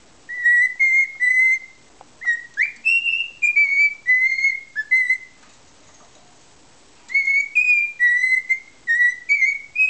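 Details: Happy pet cockatiel singing the taught melody "Que Sera Sera" in an odd posture: runs of pure whistled notes, level and gently sliding, one upward swoop, a lull of about two seconds, then more whistles; indoors, quiet.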